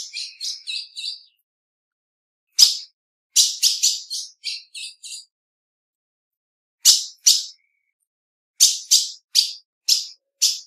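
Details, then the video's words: Female ultramarine grosbeak making piping calls and contact calls: clusters of sharp, high chips and short descending notes in quick runs, separated by pauses of one to several seconds; clean, quiet background. "FÊMEA DE AZULÃO - PIADO E CHAMADO"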